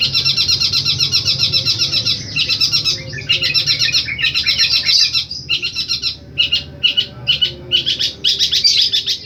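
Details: Long-tailed shrike singing repeated 'tembakan' phrases with strong power: dense, rapid high chattering bursts in long runs, broken by short pauses, then choppier clipped phrases toward the end, over a faint low hum.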